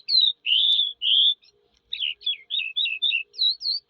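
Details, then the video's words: Eurasian skylark singing: a few long, clear whistled notes, then a quick run of short chirping, slurred notes, high-pitched and varied, with brief gaps between phrases. "sky lark bird singing"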